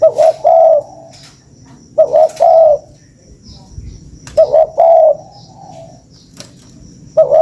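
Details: Lure recording of a spotted dove repeating its three-note cooing phrase four times, roughly every two and a half seconds, the last one cut short, with occasional clicks.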